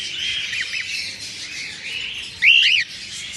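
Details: Albino cockatiels greeting the morning give a loud, drawn-out chirp that rises and then holds level, after fainter arched calls and a constant murmur of twittering.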